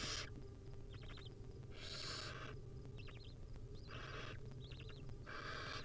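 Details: Hungry wild barn owl nestlings fed tiny bits by the mother: three broad, breathy hissing screeches alternate with quick runs of thin twittering chirps, over a low steady hum.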